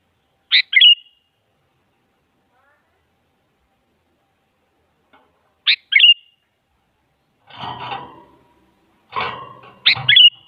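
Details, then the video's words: Sooty-headed bulbul lure song, a female calling a male: two short whistled phrases of falling notes with long pauses, then harsh broadband rustling bursts and a final phrase. "Suara Burung Kutilang Selalu Dicari Buat Pancingan Jadikan Kutilang Diam Ikut Nyaut"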